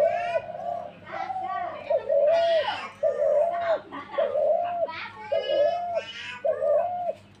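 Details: Low, steady dove coos repeated about once a second, each slightly dipping at the end, while children talk and laugh nearby in a small room.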